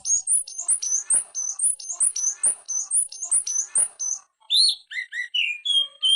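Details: Greater green leafbird delivering a full, energetic ngetrok song meant as a training master: a rapid run of high, clicky whistled phrases, then a switch to slower, pure, slurred whistles near the end, in a clean recording.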